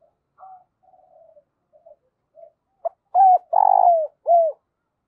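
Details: Spotted dove decoy calling in wild doves, 'giọng thổ' voice: scattered soft low notes, then a clear phrase of a clipped note, a mellow coo, a long trilled purr and a closing falling coo.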